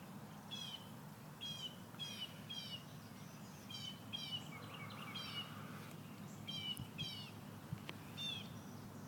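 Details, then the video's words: Birds chirping in the morning in Central Florida: short bursts of high buzzy trilled notes repeated about every second over a steady low hum of background noise. "Birds chirping in the morning in Central Florida"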